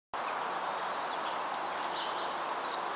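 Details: Bohemian waxwings from a flock of 49 at St Asaph, Wales, on 17 December 2016 give high, thin, ringing trills that overlap as the flock calls together, over a steady hiss of background noise.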